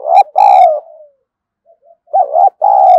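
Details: Spotted dove kept as a fighting decoy, giving loud close coos: a short note then a long drawn coo fading downward, a pause, then another wavering double coo and a sustained coo.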